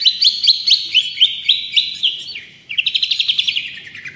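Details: Cendet or pentet (long-tailed shrike) in lively song for bird training: a string of quick, rising, whistled notes, a short gap, then a rapid chattering trill that sinks slightly in pitch.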